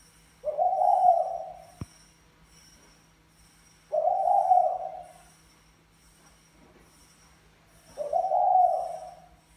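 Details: Male spotted dove of the 'mã phấn' type cooing to urge a 'bài lối' female: three hoarse, mid-pitched coos, each about a second long, spaced roughly three and a half seconds apart over a faint steady hum.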